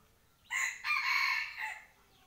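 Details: One rooster crowing at home, a hoarse high-pitched cock-a-doodle-doo in three main parts, slightly distant, with low background hum.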